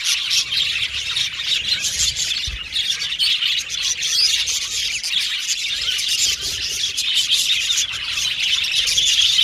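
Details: Budgie aviary colony in full voice, an even stream of tiny chirps, tweets and warbles from many birds, steady in loudness from start to end.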